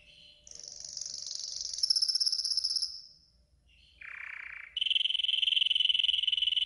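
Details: A yellow golden canary delivers training song: a rising, high, bright buzzing tour, a short lull, a harsh lower burst, then a sustained, evenly rolling trill; faint low hum beneath.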